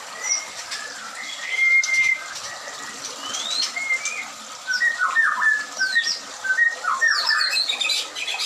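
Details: White-rumped shama at a breeding farm with ringed birds: a lively sequence of short whistles and quick chattering bursts that grows busier and louder in the second half.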